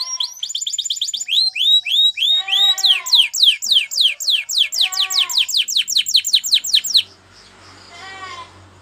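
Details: Spanish Timbrado canary singing for canary training: steady series of bold, downward-sweeping notes roughly every quarter second, growing stronger, then ending abruptly into faint background hiss with a last soft phrase.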